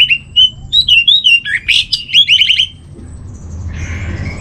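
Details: Training master song of an orange-headed thrush: a fast run of loud, sweet whistled notes mixed with harsh buzzy trills for under three seconds, then near silence and faint hiss.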